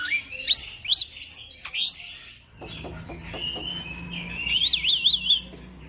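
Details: Young male black-winged myna singing for bird training: bright rising whistled notes, a quiet scratchy stretch, then a long buzzy note ending in a wavering whistled trill.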